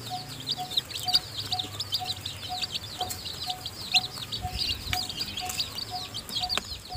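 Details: Chicken chicks, newly hatched and kept in the nest by the hen who is feeding them, give continuous overlapping shrill peeps. A soft regular beep repeats roughly every half second, and there are scattered clicks and rustles.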